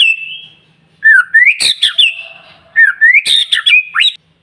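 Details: White-rumped shama song used to rouse other shamas: two phrases of rising whistles ending in sharp high cracks and short warbles, about one and a half seconds apart.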